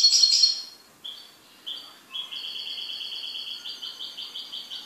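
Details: A pet goldfinch opens with a loud burst of twittering, then short chirps, then a fast, rhythmic trill of rapid repeated high notes lasting nearly three seconds.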